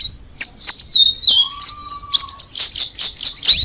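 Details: Sooty-headed bulbul singing sharp high chirps and downslurred whistles, with a steady lower whistled tone held for about a second midway, then a run of buzzy chatter.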